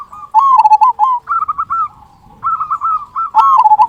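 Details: Zebra dove, a local perkutut, giving loud, big "kung" song used as a lure to make other zebra doves sing: bursts of quick rolling coos around a low pitch, two phrases separated by a pause, faint background rumble.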